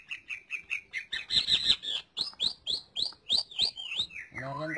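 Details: Green leafbird song for tutoring other birds: quick high chirps repeated about four per second, then a loud burst of sharp notes and upward-flicked whistles, closing with a lower harsh downward sweep.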